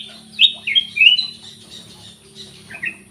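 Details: Black-crested bulbul song used to coax lazy kept birds into singing. Several short, bright, falling whistles open the clip, followed by softer notes over a low background hum.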